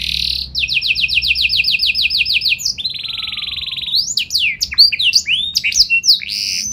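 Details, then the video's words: Canary singing loudly with special phrasing to set other canaries replying: a long rapid trill of repeated rising notes, a rich buzzy roll, then a burst of fast tumbling swoops and whistles. "Burung Kenari Gacor Nembak Joss Cengkok Istimewa! Buat Kenari Lain Langsung Nyaut Gak Pake Lama"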